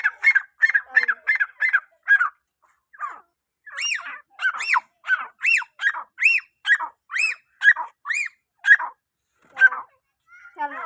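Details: Calls of a grey francolin, used to summon other francolins. A quick run of sharp repeated notes opens, then a loud sequence of arched, rising-and-falling notes comes roughly twice a second, ending in softer scattered notes.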